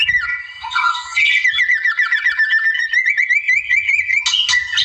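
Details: White-rumped shama singing in the wild to provoke a rival: a fast, even series of wavering trilled notes, about two to three per second, steady in pitch, ending in a harsh burst.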